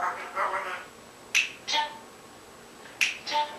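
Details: Pet African grey parrot vocalizing indoors in the dark, unaware of the camera: soft hoarse mumbles, then two pairs of sharp clicks each followed by a brief whistled note.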